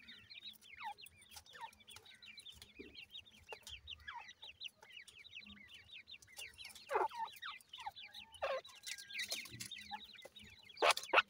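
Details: New-season grey francolin chicks with their parents. Dense, high chirping runs on for about eleven seconds, several birds calling at once. Louder rattling bursts and thumps come near the end.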